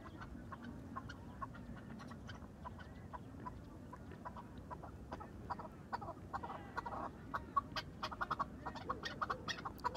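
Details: A farm-kept chukar partridge in excited mood gives short, dry clucking notes in quickening bursts that grow louder and busier toward the end, over a steady low background hum.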